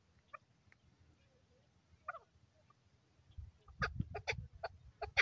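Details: Male desi chukar partridge in high spirits during fine weather: a few scattered clucking notes, then a dense burst of loud, rough chuck notes in the final seconds over low rumbling background noise.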